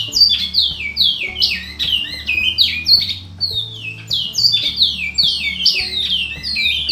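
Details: Large-billed Seed-Finch (Bicudo) performing a full song: bright, falling whistled phrases in quick succession, grouped in bursts with short gaps, with steady low tones droning quietly beneath.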